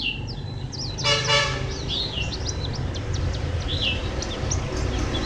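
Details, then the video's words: A white-eye recorded in Phù Yên on 2 October 2015 sings a quick, high, twittering run of thin chirps and slurred notes, over steady traffic rumble and a brief car horn. "Chim vành khuyên hót rất hay"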